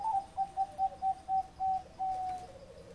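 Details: Zebra dove in the ร้องตับ style: a rapid string of short, clear cooing notes, each about a quarter second apart, then two longer, sustained coos that lengthen the phrase at its close.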